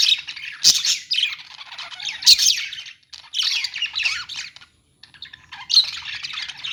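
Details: Budgerigars, also called parakeets, chirping in a pet store: dense bursts of high, scratchy chattering and sharp squawks from several birds, with short near-silent gaps around the third and fifth seconds.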